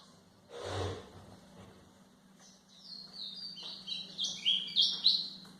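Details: White-throated seedeater song for training young birds: a low thump and faint hum open the recording, then rising bursts of high, buzzy twittering and sharp chirps grow louder toward the end.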